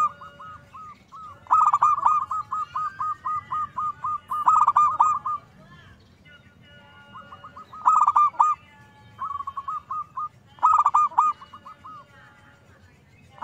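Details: Zebra dove in full song, used to provoke other zebra doves: a long chain of quick arched coos opens, then loud rolling bursts alternate with softer trailing coo series over several phrases.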